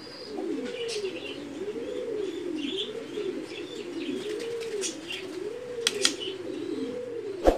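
Mookee pigeons give low, rolling coos that rise and fall in overlapping waves.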